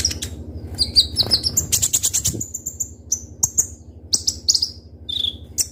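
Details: Kolibri ninja, or Konin, singing sharply as a lure: squeaky chirps leading into a fast buzzy rattle, then scattered high notes and a lower slurred whistle near the end, over faint hum.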